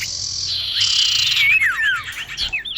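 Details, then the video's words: Female common iora calling to a male, a lure recording: a long harsh buzzy stretch gives way to several quick whistled slurs dropping in pitch, with a brief rising whistle at the end. "Kicau cipoh betina memanggil jantan"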